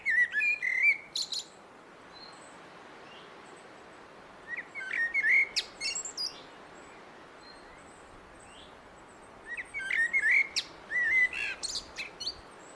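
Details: Blackbird song given in three separate bursts with quiet pauses of several seconds between them. Each burst has low fluty notes followed by scratchy high-pitched twittering. Faint background hiss.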